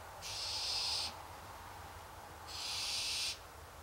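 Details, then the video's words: Pair of evenly matched, raspy begging screeches from hungry barn owls, each close to a second long and about two and a half seconds apart, broad and hissy, with quiet hum between them. "Hungry Barn Owls"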